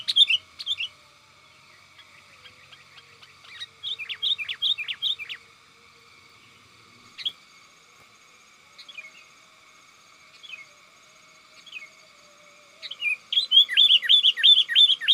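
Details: Companion-calling sooty-headed bulbul, a vocal bird whose calls serve as a lure for wild kutilang: bursts of rapid liquid chirps separated by pauses and lone notes, ending in a long fast run of bubbling whistles.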